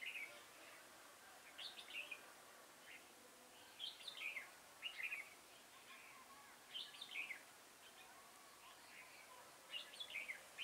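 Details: Red-whiskered bulbul kept as a trapping decoy, recorded 6 November 2017, its voice likened to a long pump. Short bright chirpy phrases come every two to three seconds over steady low hiss.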